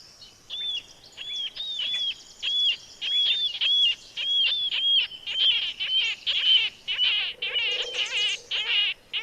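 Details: Marbled Murrelets on Mount Rainier (Carbon area) give high, gull-like keer calls, about two per second, overlapping into a busier chorus toward the end; the calls can be confused with a common nighthawk.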